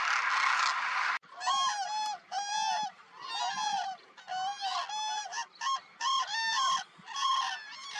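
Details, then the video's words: Wintering Demoiselle and Common Cranes in large flocks near Nal Sarovar, Gujarat, India, in January 2021. A dense chorus of loud, trumpeting, honk-like calls overlaps in bursts. It opens with a second of broad rushing noise before the calling starts. "Cacophony of Cranes"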